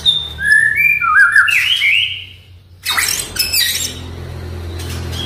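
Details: Oriental magpie-robin (murai batu) song to prompt a silent bird to sing: a clear whistle followed by a rich rising warble, a brief pause, then scratchy chatter over a low hum.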